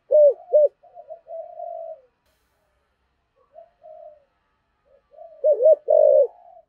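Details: Spotted dove calling in 'giọng thổ' cúc đinh style: two quick coos, soft humming notes, a long silence, then a pair of short hoots and a long sliding coo.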